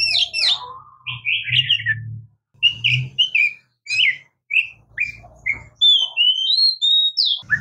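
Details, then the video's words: Oriental magpie-robin (murai kampung, kacer) sings short whistled notes repeated in a steady series, then longer rising and falling whistles at the end, over a low rumbling hum. "Oriental Magpie Robin Singing | Suara Burung Murai Kampung | Bunyi Kacer"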